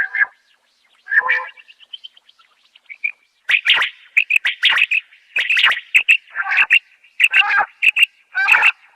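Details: Common quail female call used for hunting quail, in Khyber Pakhtunkhwa: two buzzy notes, then short chirps, then a fast run of harsh, chattering notes with a thin steady whistle behind them.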